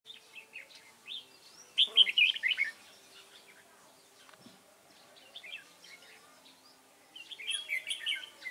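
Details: Red-whiskered bulbul recorded during trapping with a lure bird, 29 June 2018. Short bursts of bright, warbled chirping notes come at the start, a louder jumbled phrase around two seconds and another near the end, with quiet gaps between.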